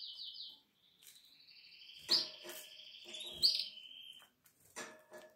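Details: Atlantic canary chicks aged seven days, in their nest on 12 April 2022: high buzzy trills overlap in two layers, with sharp clicks and scratchy rustles from movement in between.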